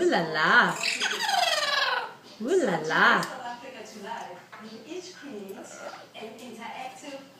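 A double yellow-headed amazon gives two long, wavering, nasal squawks that swoop up and down, then trails into softer, speech-like chattering and mumbles.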